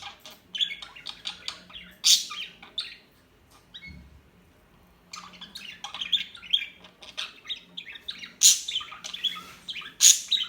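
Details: Small birds chirping in lively bursts of high twitters and squeaks, broken by a quiet pause of about two seconds before the chattering resumes with several loud sharp notes.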